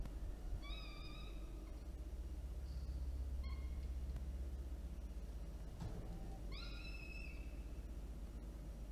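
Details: Peregrine falcon chicks, an older and a younger one, begging while an adult feeds them at Orange, New South Wales, Australia, on 9 October 2022: a few thin, harmonic whistled calls, flat then slightly falling, over steady low rumbling background noise.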